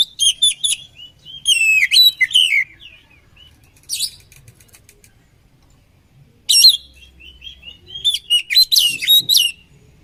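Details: Oriental magpie-robin combination song for training other magpie-robins, delivered in clusters. Rapid sweeping whistles and scratchy trills alternate with silent gaps of one to three seconds, and a faint low hum runs underneath.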